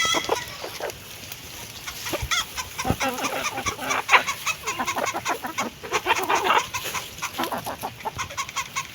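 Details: While eating food, hens keep up a steady patter of pecking taps and brief muffled clucks, growing busier in the second half.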